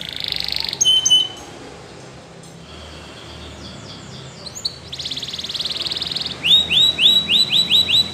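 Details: Belgian canary song used to train canaries, over a steady background hiss. A short whistled phrase, a long quiet stretch, a buzzy rolling trill, then a series of repeated upward-swept whistled notes about one per quarter second.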